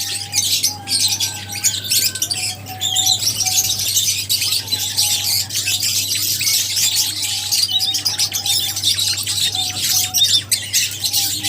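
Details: Busy chorus of lovebirds, rapid shrill chirps and squeaks overlapping without pause, with a faint steady whine and a low drone in the background.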